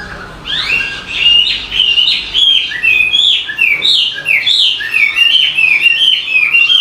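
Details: A bird chirps a lively song of rapid high twittering notes, many short upswept and downswept chips strung together continuously.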